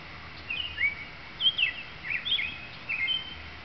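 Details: A male American robin sings short, clear caroling phrases from a tree in a nesting area, after fighting off another male. The rising and falling phrases come about one every half second over a soft background hiss.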